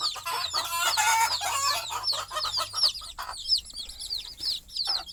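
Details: Mother hen settling her small chicks to sleep at night on the nest: a busy clamour of peeps and clucks gives way to a clear run of looping, high chick chirps.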